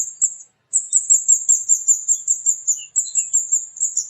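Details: A flowerpecker, known locally as kemade, giving bright, needle-thin 'cit cit' calls in a fast unbroken run after a short pause, roughly two to three notes per second, with a faint lower chirp.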